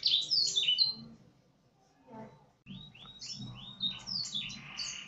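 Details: Canary, trained with Blackthroat song, singing: a burst of high buzzy twittering notes, a short pause, then a run of quick falling whistled phrases and trills.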